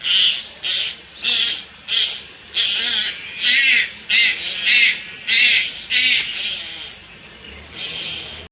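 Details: Juvenile Malayan night heron at Lugu, 30 July 2022, producing a run of about twelve harsh, grating hisses, shorter and thinner at first, then louder and fuller, spaced well under a second apart.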